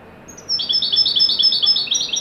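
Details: Moroccan Widani goldfinch at its best, a joyful performance: high, ringing twittered notes strung rapidly together in an even sequence lasting about one and a half seconds.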